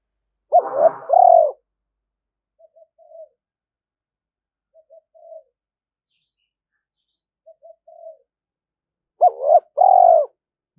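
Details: Decoy spotted dove calling to lure wild doves in to fight; loud cooing phrases at start and end, separated by soft, short low cooing notes repeated every two seconds.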